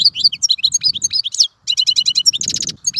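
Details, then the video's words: European goldfinch singing a fast, twittering song of short chirps and trills between 2 and 8k, with liquid tinkling notes, rapid repeated buzzy bursts and a brief pause near the middle; faint low rumble beneath. "تغريد طائر الحسون | فيديو رائع لتغريد الحسون"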